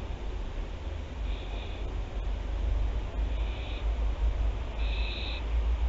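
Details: Barn owls at Théding, France, 24 September 2021: three rasping screeches, the first faint and the last strongest, over a steady low hum with scattered clicks.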